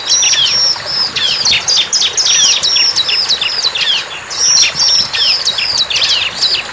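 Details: Fast, shrill chattering song of a wild bar-winged prinia: clusters of sharp downslurred chirps, some opening with a short level whistle, repeated almost without pause.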